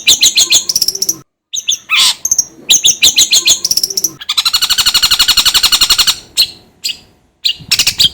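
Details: Long-tailed shrike song played to stimulate another bird into singing: varied high twitters and whistles, then a long, fast, even rattle of buzzy notes for about two seconds, followed by scattered scratchy chirps.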